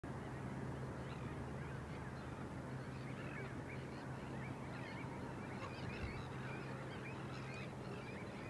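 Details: Slender-billed Gulls at Thessaloniki, Greece, in April 2024: a dense chorus of nasal, scratchy calls, many birds overlapping continuously, over a steady low rumble of wind or distant noise.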